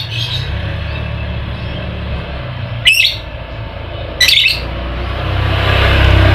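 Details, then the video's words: Lovebird ngekek used as a singing lure: two sharp, high chattering bursts about one and a half seconds apart, with low humming noise that grows louder toward the end. "Pancingan Lovebird malas bunyi, agar aktif Ngekek"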